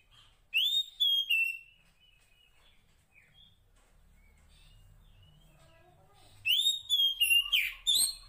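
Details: Female Oriental magpie-robin in the wild calling the male: two bursts of loud whistled phrases, rising then sliding down, separated by several seconds of near silence with faint distant twittering.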